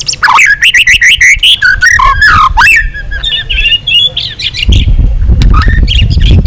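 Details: A white-rumped shama sings a rich long song aimed at provoking other shamas. Dense rapid whistled and warbling phrases run for several seconds, followed by scattered notes over rising low rumble.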